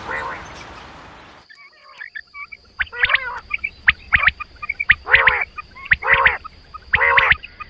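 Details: Quail calling in rich, repeated rapid note bursts about once a second after an opening wash of rough noise. A steady high electronic whine runs throughout.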